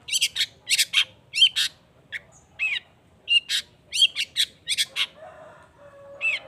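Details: Long-tailed shrike in lively song: harsh chattering bursts and sharp rising chirps in quick clusters, ending in softer murmuring sounds and a single scratchy note.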